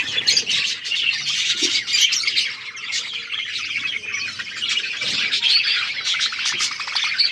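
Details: Overlapping chirping and warbling from a flock of budgerigars kept in an outdoor aviary: a constant, high, buzzy babble without pauses, with sharp squawks poking out now and then.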